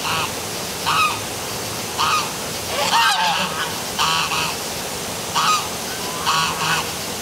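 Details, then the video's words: Geese or ducks calling at night beside the downtown waterfall in Milford, Connecticut: nasal honks in short bursts roughly every second, some with rising and falling inflection, over a steady wash of falling water and passing cars. "Dark Night Geese Calling by Waterfall at City Hall, Milford CT"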